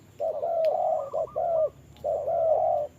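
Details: Trapping decoy spotted dove confronting a wild dove in the rain: long drawn-out low coos that overlap with a second bird's slightly higher hoots, forming two dense, sustained bursts.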